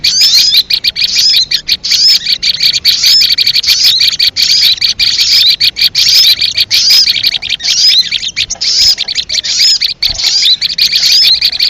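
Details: Leafbird lure call used for trapping: long unbroken run of shrill chattering and squeaky whistled slurs, dense and rapid, with short dips between phrases.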